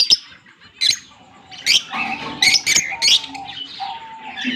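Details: A green pair of Fischer's lovebirds, recorded October 16, 2023, giving shrill high chirps and harsh squawks in short bursts separated by brief pauses.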